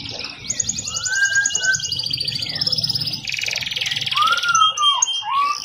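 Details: Canary song used as a tutor recording for training other birds: fast buzzy high trills held for several seconds, mixed with lower whistled glides rising and falling, and a brief tinny click near the end.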